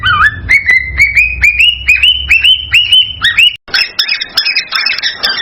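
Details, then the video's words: Cockatiel in excited song to stimulate mating, a string of rising whistled notes climbing slightly in pitch and repeated about twice a second. After a brief silence comes a harsher, higher buzzy chatter. "صوت لتحفيز الكوكتيل على التزاوج تغريد هائج"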